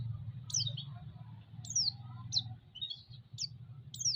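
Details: Lure calls of a white-eye meant to rouse other white-eyes: a few thin, high chirps, each sliding steeply downward, spaced about a second apart over a low droning background.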